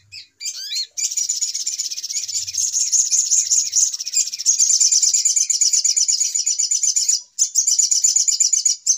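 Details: Little spiderhunter noisy lure call for trapping: after a brief opening chirp, a sustained high, rapid, rattling chatter runs on with one short break.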